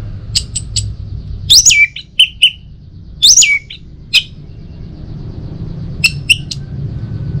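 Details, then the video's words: Orange-headed thrush song used to prompt other birds into singing in the morning; scattered short high whistles and sharp notes with gaps between, faint low rumble underneath. "Saatnya Buat ANIS MERAH NGEPLONG Gacor dirumah. Pancing dengan suara burung ini baik pagi hari."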